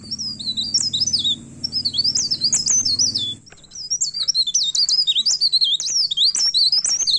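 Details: Myna singing hard and agitated as it seeks an opponent: dense, high, zigzagging whistled phrases and chirps. A low droning rumble accompanies the first three seconds; afterwards only a faint hum remains beneath the song.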